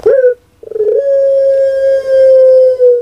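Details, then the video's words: A short opening note from a captive Javanese puter pelung, a prize-winning Barbary dove, is followed by a brief gap and then a long, unwavering droning coo held for more than two seconds. "Puter Pelung JUARA NASIONAL BERAKSI KEMBALI"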